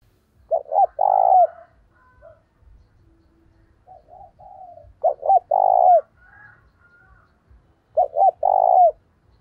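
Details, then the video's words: Spotted dove decoy cooing to lure wild birds: a short double coo followed by a longer, rolling coo ending in a downward slur, repeated three times with pauses, faint chirps in between. "Chim Cu Mồi Thúc Và Gáy Gọi Bổi"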